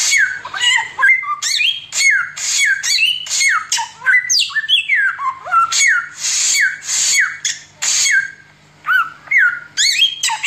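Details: Oriental magpie-robin singing a continuous 'tembakan' style song, described as good for tutoring other birds: loud varied whistles, sharp downslurred notes and buzzy high bursts following each other rapidly without pause, indoors.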